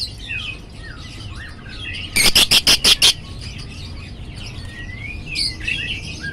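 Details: Lovebird chattering with rapid, twittering, slurred chirps rising and falling. Midway there is a burst of five loud, sharp, evenly spaced notes, followed by more twittering over a low background hum.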